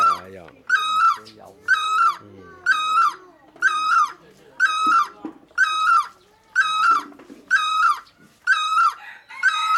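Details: A steady run of ten loud, ringing great barbet notes, each short and slightly falling, repeated with very regular timing about once a second, with faint lower sounds in the background.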